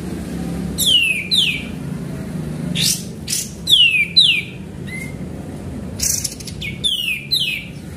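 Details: Active sooty-headed bulbul used as a lure, giving paired falling whistled notes separated by short pauses, plus a few brief noisy clicks and a steady low background hum.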